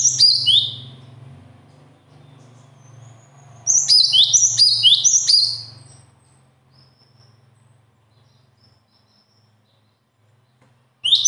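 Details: High, sharp bird song in short bursts of rapid descending whistled notes, one burst at the start, a longer run of about four linked phrases midway, then a long quiet gap over a faint low hum.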